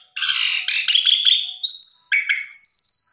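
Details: Asian pied starling song used as a lure to provoke other birds to sing their full repertoire: a harsh rasping chatter, then a rising-and-falling whistled note, a short scratchy burst, and a rapid buzzy trill to finish.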